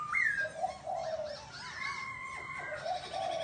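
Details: Laughingthrush giving a rising whistled note followed by mellow, rounded lower notes and a long sustained whistle; the phrase is softer, over a light background hiss.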